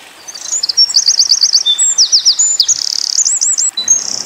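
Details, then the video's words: Eurasian wren in the 'tembakan' burst style for tutoring white-eyes: a quick, loud phrase of high looping trills, a fast buzzy rattle and repeated curling whistles, about three and a half seconds. "Tembakan Winter Koning / Wren"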